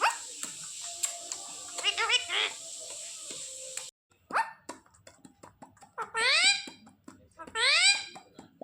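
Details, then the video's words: Home-trained Indian ringneck parakeet repeating "Papa Papa" and its own name. After some faint clicks and a brief gap, two loud, rising, rough-edged harmonic phrases arrive about a second and a half apart. "मेरा Mithu बोला “Papa Papa” पहली बार | Talking Parrot"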